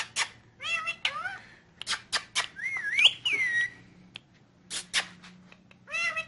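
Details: Pet rose-ringed parakeet talking in Urdu/Hindi: short whistled word-like phrases with wavering, sliding pitch, broken up by sharp clicks and rasping bursts.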